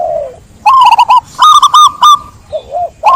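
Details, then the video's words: Zebra dove song: a bright trilled burst of rapid clipped notes followed by a steadier held phrase, with soft lower coos at start and end. "Suara burung perkutut"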